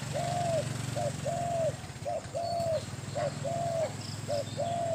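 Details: Spotted dove, a caged decoy bird described as big-voiced, used in Thai dove luring. Calls in repeated phrases: one or two clipped coos, then a longer, slurred, falling croon, roughly every second. A constant low engine drone sits in the background.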